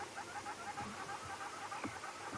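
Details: A hornbill at sunrise on a safari drive in Sabi Sand, with elephants breaking branches nearby, gives a rapid series of short, clucking mid-pitched notes, several per second, over a noisy background with faint clicks and snaps.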